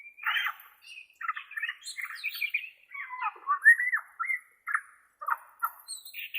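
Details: White-rumped shama of the Borneo form, singing a varied run of clear whistled phrases, some rising and some falling, with short pauses and a few buzzier notes between them.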